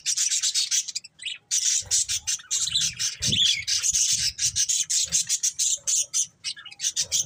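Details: Budgies keep up a fast, rasping chirping chatter, a grainy high twitter with quick stuttering pulses and a few squeaky notes, pausing only briefly.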